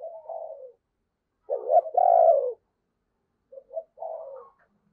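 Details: Decoy spotted dove calling wild birds in the morning: soft low coos, one strong phrase of short stuttered notes running into a long drawn coo, then a fainter trailing phrase. Quiet background.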